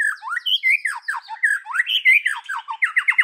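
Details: Loud white-rumped shama song in forest style, known as 'kéo thuốc lào': flowing whistled slurs swooping up and down, ending in a fast series of repeated sharp falling notes.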